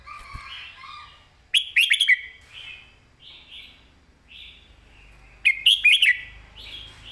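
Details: A caged red-whiskered bulbul delivers its 'master song' with clear phrasing: loud chirpy warbled phrases of quick notes, each followed by several soft, short whistled notes, repeated about every four seconds.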